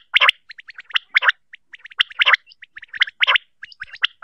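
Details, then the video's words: A female common quail gives harsh, gargling rasps about once a second, interspersed with quick, thin chirping notes; no other sounds. "Batair ki maybe awaz"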